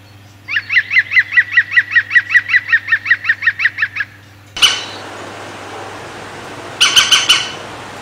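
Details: European green woodpecker drinking and bathing in 2016, taken from behind a window pane: a rapid laughing volley of about eighteen ringing notes over three and a half seconds, followed by a sudden noisy bump and a brief burst of harsh clipped notes.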